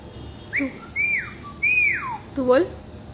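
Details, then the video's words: Parrot giving three clear whistled notes, each swooping up then falling, followed by a shorter harsher note with a low buzzy undertone, against quiet indoor background hiss. "Talking Parrot"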